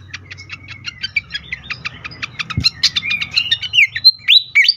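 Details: Agitated fantail (sikatan kipas) singing as a lure for other birds: rapid series of sharp high ticks about four per second, mixed with a thin sustained whistle, building into fast twittering trills and chirps over a low hum.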